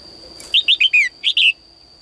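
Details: Female bird singing inside a cage at dawn, calling males to sing more; six loud, sweet, downward-slurred chirps in a rapid series, the last two slightly apart, over a continuous high electronic tone.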